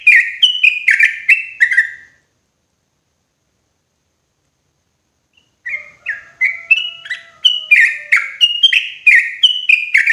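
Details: Clear, loud lure recording of yellow-vented bulbul for forest trapping: brisk liquid chirps, a pause, then a long run of stepped, slurred notes over faint thin whistles in the background.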